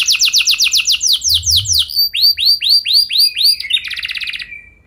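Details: Canary song meant to get other canaries singing long rolls: rapid falling notes, then slower looping whistles, ending in a buzzy rattle that fades away.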